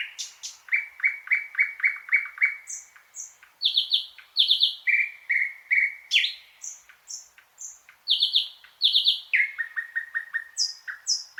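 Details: Thrush nightingale (Luscinia luscinia) singing: a loud, varied run of phrases, rapid repeated mid-pitched notes, then bursts of high sharp chirps and clicking rattles, shifting pattern every second or two, continuous and clear with a quiet background.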